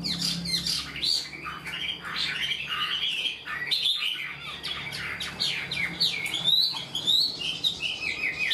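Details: Wild-caught captive Chinese hwamei singing an orderly song like a tamed bird: continuous, loud, melodious whistles and slurs, some harsher rasping notes mixed in, with a short pause near the middle; low background hum.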